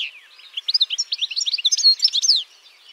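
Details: Continuous high twittering from a European goldfinch, a tumbling string of short chirpy notes and slurred whistles lasting about two seconds.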